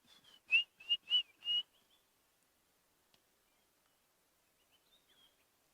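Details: White-browed scrub robins starting to sing in bush during a sunrise safari drive on 5 July 2016, near nervous kudu: a quick run of five clear, high whistles about a third of a second apart, then faint distant notes.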